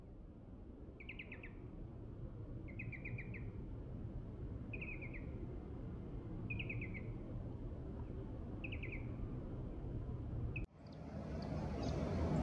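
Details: A Daurian redstart, one of a pair on the right bank of the Arakawa at Senju on 18 November 2017, gives short, high chattering bursts about every two seconds over a low rumble.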